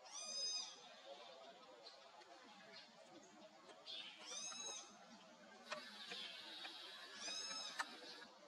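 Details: Common pauraque, a year-round resident nightjar, in Texas gives three burry, high whistles that rise then fall, about every three seconds, over a soft background hiss.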